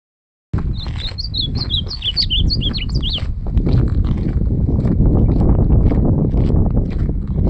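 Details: Ultramarine grosbeak singing in a campeada song contest: a rapid warbled phrase of clear, sliding whistled notes lasting about two and a half seconds, followed by loud, steady low rumbling noise.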